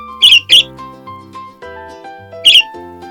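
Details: A young male budgerigar, green, in his first week in a new home, gives three short, scratchy, high chirps among his first sounds while settling in: two quick ones close together, then one more two seconds later, over soft background music.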